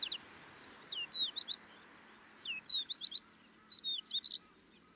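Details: Kaohsiung, Taiwan, 25 May 2023: a Middendorff's grasshopper warbler gives high, clear whistled notes and downslurred chirps in uneven short phrases, with brief pauses between, over a light steady background hum.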